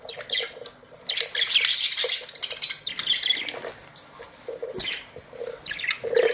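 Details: A colony of Australian budgies fills the air with busy chatter: rapid scratchy chirps and warbled notes overlapping from many birds, rising and falling in dense bursts with brief lulls between.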